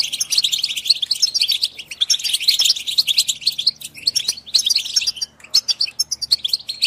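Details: European goldfinch song aimed at stimulating singing and mating in goldfinches: a lively, almost unbroken flow of tinkling chirps and twitters, easing briefly near five seconds before resuming with sharp notes.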